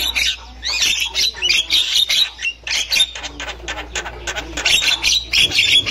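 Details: Wild female Javan myna chattering, meant to prompt young mynas to sing: dense, scratchy squawks and chirps in fast overlapping bursts with a low hum underneath.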